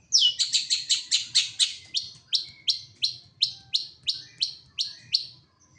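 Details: Long-tailed shrike kept as a caged songbird, singing a fast run of sharp, high, down-slurred chirps, about a dozen evenly spaced notes that slow slightly toward the end, over faint low rumble.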